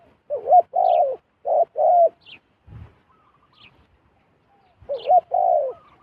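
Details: Wild zebra dove approaching a decoy bird. It gives rapid paired low coos, two doublets close together, then a pause with a soft thump and one more doublet. Thin high chirps from another bird are faint.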